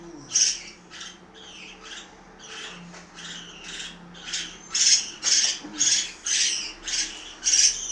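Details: At mealtime, household parakeets in Itaim Paulista, São Paulo, Brazil give a loose run of scratchy squawks, softer at first and louder toward the end, with faint low background sounds.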